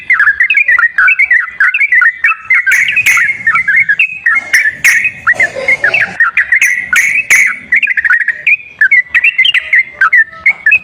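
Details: Sooty-headed bulbul lure song meant to get a silent bird singing: a steady stream of bubbly whistled notes in short up-and-down phrases, with sharp clicks and a brief rustling noise midway.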